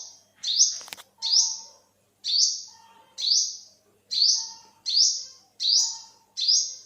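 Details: Olive-backed sunbird (yellow-bellied sunbird) repeating sharp, upslurred high calls at a fairly even pace. A brief click-like thump sounds near the start.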